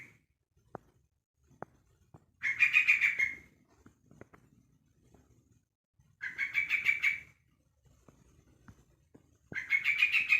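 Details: A one-month-old young Yellow-vented Bulbul calls to other bulbuls with three harsh, buzzy, chattering bursts, each about a second long, spaced roughly three and a half seconds apart, with faint clicks and rustles between.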